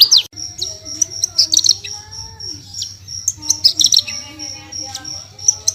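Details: Branjangan, or Horsfield's bush lark, singing 'tembakan' for songbird tutoring: scattered high piercing notes and short chattering bursts, softer overall, with faint low tonal sounds underneath.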